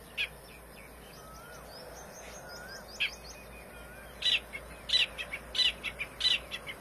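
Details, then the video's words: Wild grey francolin chicks give sharp, high peeps in quick bursts about every half second, apparently calling their mother, over faint thin whistles and a steady background hiss. "Gray francolins teetar chicks voice"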